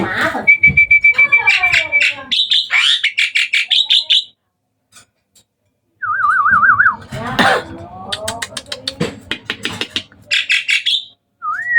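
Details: Hybrid Asian pied starling singing actively at night: a steady whistled note, then bursts of fast harsh chattering notes, a short pause, and a wavering whistled trill amid more rapid chatter and a final rising whistle.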